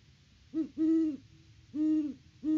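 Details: Low, steady hooting of great horned owls at their nest on a farm near Peabody, Kansas, in mid-October, live-cam recording; a brief note, a long hoot, a gap, another long hoot and the onset of one more.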